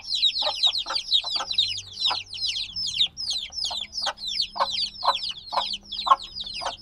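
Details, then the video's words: Few-day-old black chicks peep insistently, clusters of sharp descending chirps following one another closely, with intermittent low thuds and a faint hum in the background. "Baby Chicks Sounds - Baby Chicken Chirping Noises"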